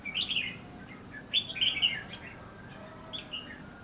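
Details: Red-whiskered bulbul in bushes at Lương Sơn, trapping setting: two loud bursts of fluty, warbled phrases near the start and middle, then a softer short phrase, over faint background hiss.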